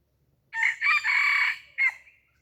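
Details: Red junglefowl decoy bird crowing to lure wild junglefowl: a short opening note, then a long, harsh, sustained middle note, then a clipped final note that trails off, all within about one and a half seconds against a quiet background.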